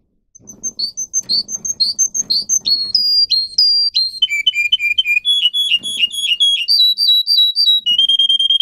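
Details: Russian canary song for training other canaries, from a breed whose song has 10-15 high tone variations: after a brief silence, whistled notes repeated in groups, dropping stepwise in pitch, rising again and ending on a steady high trill.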